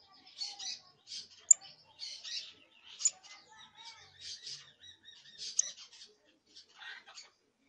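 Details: Early practice song of a young canary: a run of short scratchy, buzzy high bursts roughly every half second, with thin whistled slurs between them and occasional sharp ticks, in a quiet room.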